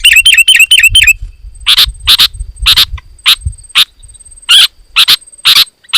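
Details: Dense sooty-headed bulbul song used to rouse other bulbuls into answering; a brief fast run of clear, ringing chirps, followed by sparse, evenly spaced harsh chips about two a second and a thin steady high tone.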